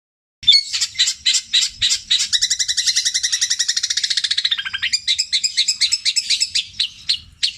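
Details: Long-tailed shrike from Java, a kept songbird, pouring out mimicked songs in the tengkek buto, kuntilanak and sparrow style, long and repeated: harsh chatter, then a fast run of even pulsed notes that ends in a brisk choppy series.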